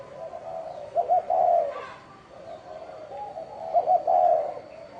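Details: Bronze-bell style spotted dove coo, played to attract wild doves and excite males and females. Two mellow low phrases: a soft run-in, a quick double note, then a rich sustained coo, and a faint steady high tone.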